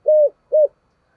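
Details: Two short, smooth, hollow coos from a spotted dove in thổ-style voice, a call used to attract wild birds, evenly spaced about half a second apart in otherwise quiet surroundings.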